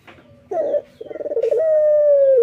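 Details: Local male puter dove in morning song. A soft short coo leads into a rolling, pulsed trill, which flows into a long clear held note.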